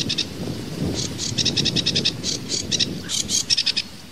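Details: Sedge warbler (kerakbasi alis hitam) tembakan variasi song: steady stream of rasping, chattering notes repeated rapidly, ending in a tight burst of quick buzzy chips.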